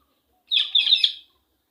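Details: Female Indian ringneck parakeet giving an angry voice: one harsh, grating screech lasting under a second, rough and wavering, with two or three pulses of loudness, set in silence.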